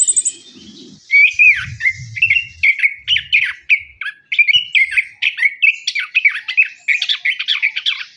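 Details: Lure song of an orange-headed thrush from Indonesia, meant to stimulate birds that sing little after moulting or are still learning; dense, continuous run of varied warbled and chattered notes, loud and rapid, with brief low thumps early on.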